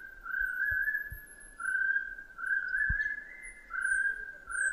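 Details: Chestnut-breasted partridge call: drawn-out, level whistles, about one per second and a half, the later ones stepping slightly higher; faint thin high notes of other birds and a few low thumps.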